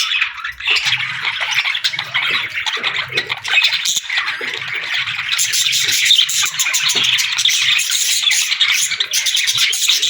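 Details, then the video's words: Parakeets chattering together in summer: a steady, buzzy wall of high chirps and twittering warbles, growing denser and harsher in the second half, with a faint low hum behind. "Parakeets Chirping Sounds"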